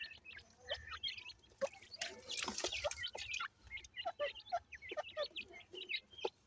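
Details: Dakhni teetar francolin chicks, a new pair, peep continuously with short, high, slightly rising chirps in quick irregular succession, interrupted by bursts of handling or rustling noise.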